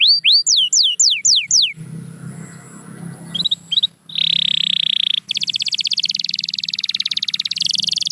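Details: Domestic canary singing, played to get silent canaries to sing. Hooked falling whistles open, a quiet gap and a few chirps follow, then a long buzzing trill and an even faster rolling trill.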